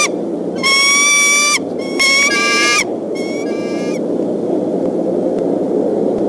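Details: Wild bald eagle pair at their Decorah nest on 17 April, afternoon, sounding the alarm at an intruding fox squirrel: three bursts of harsh, high, harmonic-rich chattering screams, each about a second long, over steady wind-like background noise.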